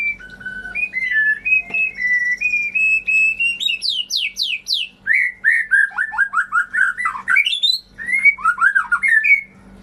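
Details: White-rumped shama song used to stimulate birds that have stopped singing: rich, varied whistled phrases, rising slurs and rapid high buzzy trills, notes tumbling up and down continuously, with a faint steady low hum behind.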